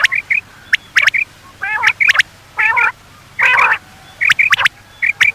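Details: Common quail (Coturnix coturnix) call, presented as a night-time quail call: short, liquid high notes in quick pairs and triplets, broken by several harsher, nasal squawking bursts.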